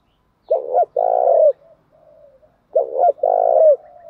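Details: Spotted dove, male and female, calling to prompt cooing: two phrases about two seconds apart, each a quick double note leading into a long, low, burry coo that slurs down at the end.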